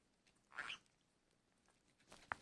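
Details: A turquoise green-cheeked parakeet gives a brief rasping squawk, then a sharp tap-like click follows about two seconds later in a quiet indoor setting.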